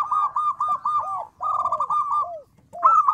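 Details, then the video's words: Zebra dove, a local bird, singing a clear, loud song that provokes replies: fast rippling coo trills strung together, broken by lower, downward-sliding notes and one brief silence. "Perkutut lokal gacor suara kecil lantang keren banget bikin nyaut."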